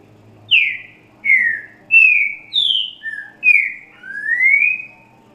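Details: Green-winged saltator singing the 'grego boca mole com boi' song style, played for teaching young birds. Clear whistled phrase of six slurred notes, mostly falling, the last rising long and smooth, in quiet surroundings.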